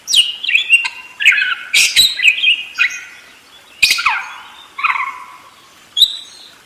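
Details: Budgerigar singing a long, rolling chatter of warbled notes, nasal squeaks and sharp clicks, with bursts about every second and brief pauses between phrases.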